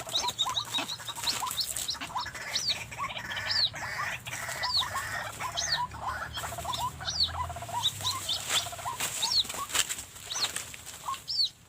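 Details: Ruak-ruak, the White-breasted Waterhen, heard during an afternoon decoy trapping beside a house wall with a hanging snare; one of two approaching birds, a male, was caught. Short upslurred notes repeat irregularly among clicking and rustling sounds.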